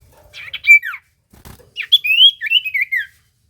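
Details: Common iora, a lure song meant to make other ioras answer: a few short notes, then a run of slurred whistles falling and rising in a bright mid-high range.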